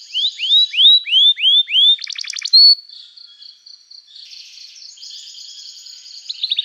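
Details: Energetic canary singing meant to prompt other canaries to reply: a row of looping down-slurred whistles, a brief rattling burst and a sharp whistle, then a quieter thin trill and soft buzzing before new notes begin.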